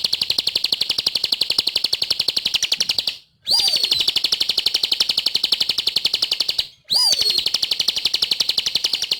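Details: Bar-winged prinia (ciblek) singing vigorously in a training recording for caged birds. A long, rapid run of buzzy, evenly pulsed notes stays high and steady. It breaks off twice, and each restart opens with a brief downward-swooping whistle.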